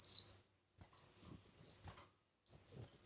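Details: Red-whiskered bulbul singing competitively, giving a falling phrase tail and then two full whistled phrases that climb, warble along a high arch and drop, separated by short silences.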